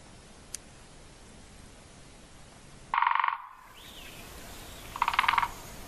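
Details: Great spotted woodpecker (Dendrocopos major) drumming: two very fast rattling bursts, each about half a second long and about two seconds apart, over a soft background hiss.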